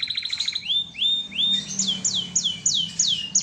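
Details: Canary in full song delivers quick chirps followed by a series of clear, high notes that swoop down, repeated about three times a second, over a faint low background hum.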